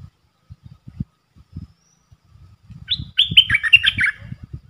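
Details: Red-whiskered bulbul decoy singing a rapid three-part phrase, played for young birds to copy and to lure wild birds: quick bubbling whistled notes tumbling downward, over steady low knocking and thudding sounds.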